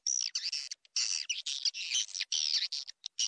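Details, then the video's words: Swiftlet call for attracting swiftlets: shrill, buzzy, high chattering phrases, each under half a second, packed tightly with short clipped gaps. "SUARA PANGGIL WALET"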